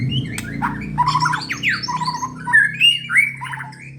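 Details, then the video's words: Vigorously singing white-rumped shama, prepared for song contests, delivers a rich, varied phrase of swooping whistles, quick slurred notes and squeaky trills, loudest near the end, over a faint low hum. "burung murai gacor"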